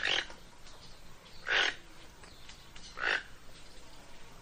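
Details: Three gruff, raspy croaks from a toco toucan, evenly spaced about one and a half seconds apart, each short and broad in tone.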